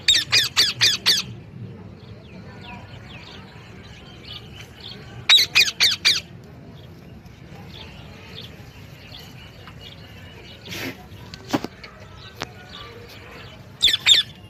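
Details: Repeated series of raspy parrot squawks, about four per second, in three separate bursts, with quiet twittering and a few sharp clicks in the gaps.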